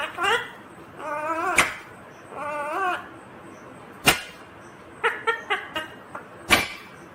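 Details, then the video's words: Talking Indian ringneck parakeet, green, giving buzzy harmonic speech-like phrases that rise and fall, mixed with sharp clicks and brief chattering notes, loosely repeated about every second, in a quiet indoor setting. "Natural Sound of Talking Ringneck green parrot 🦜 Original audio 😯 Indian Ringneck green parrot"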